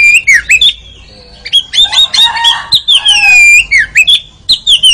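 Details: Training song of an Oriental magpie-robin (kacer) for caged birds, aimed at a champion 'ngeriwik' delivery: bright looping whistles mixed with a longer buzzy, harsh drawn-out note, then more quick whistled phrases.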